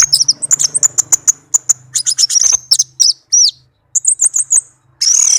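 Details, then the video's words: Tame caged orange-headed thrush singing a melodious song: a rapid run of sharp, high whistled chirps and trills, some notes sliding down, broken by short pauses and ending in a dense burst of scratchy notes. "Anis merah kicau merdu"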